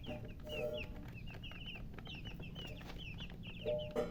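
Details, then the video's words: Just-born chicks peeping loudly: a steady stream of short, high, downslurred chirps from several birds, with a few low clucks from an adult hen. "Tot Murgi chicks chirping sounds Just Born Baby Gallina FRACAS Chicks Piar Loudly Sound"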